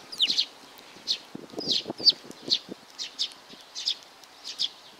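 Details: Clear, high chirps from a young sparrow repeated about twice a second, a few doubled, with some low fluttering or rustling in the first half.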